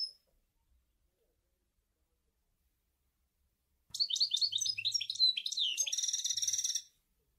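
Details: After a long silence, a European goldfinch bursts into about three seconds of Sour El Gouzlane style song, quick twittering notes rising into a dense buzzy trill.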